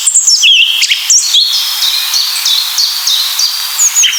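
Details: Song Thrush song, said to be flute-like, clear and rhythmic with each phrase repeated two or three times: bright high whistled phrases, a short note motif repeated about five times in a row, then sliding notes.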